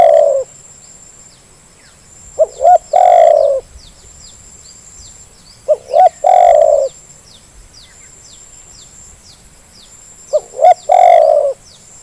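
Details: Spotted dove lure call to prompt reluctant birds: four phrases roughly every three and a half seconds, each two quick short notes then a long, mellow, falling coo, with a faint steady high tone.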